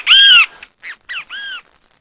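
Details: Singing great kiskadee, a bird of Brazil: a strong, hoarse, downward-arching note followed by two short, rough notes and a drawn-out arched note, heard against near silence.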